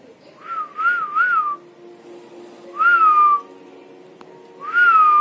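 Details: Pet parrot imitating human voices: clear whistled phrases, first a three-part wavy whistle, then two long level whistles spaced about two seconds apart, in a quiet room.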